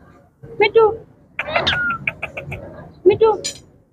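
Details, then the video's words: Talking pet Indian ringneck parakeet produces mimicked speech phrases with a throaty, nasal tone, interspersed with a quick string of short clipped syllables and a high squeak at the end, with low room noise behind. "Indian ringneck parrot 🦜|| talking parrot ringneck || yellow,blue 💙, green 💚 ringneck nice talking"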